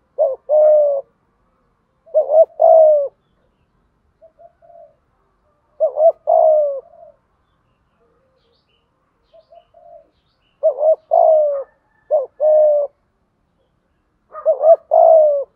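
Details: Decoy spotted dove giving 'thúc gù' coos for training wild-caught or long-kept birds; paired phrases of a quick double upswept note and a level coo, separated by soft faint notes and silences, ending in a tripled opening.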